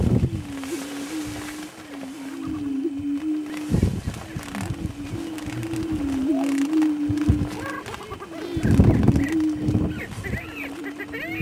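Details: Greater prairie-chickens heard from a blind on a cold morning around dawn give low, hollow, moaning hoots held at one pitch, overlapping steadily, broken by dull thumps and a few higher cackles.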